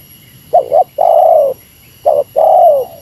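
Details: Two meratus-style phrases from a spotted dove calling against a rival, each a quick double coo then a long smooth, gently falling coo, with faint electronic hum.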